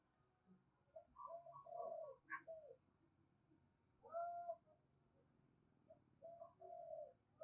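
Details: Spotted dove calling loudly and clearly with little background noise, its rolling and cooing calls used as a decoy to lure wild doves. It gives low, soft, hooting coo phrases in three bursts about two seconds apart against faint background hiss.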